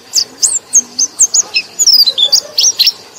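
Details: Lure song of a white-eye used to stir reluctant white-eyes into singing: crisp, high chirps and short curling whistles at a lively, slightly uneven pace. The notes cluster more densely in the second half.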